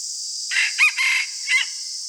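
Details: Red junglefowl cock kept as a decoy, crowing at dawn: a quick harsh crow in four clipped parts, the last note short and falling, with a continuous high-pitched insect chorus behind.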